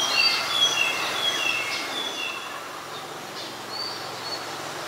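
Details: Singing Oriental magpie-robin, Ubon Ratchathani, Thailand, 17 November 2021: sweet whistled notes and slurred phrases, louder at first and then fading, over a steady low hum of background noise.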